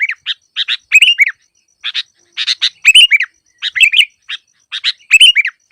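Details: Sooty-headed bulbul song meant for luring birds that are slow to sing: short liquid chirps and slurred whistled notes in uneven bursts, with brief silent gaps and a clean background.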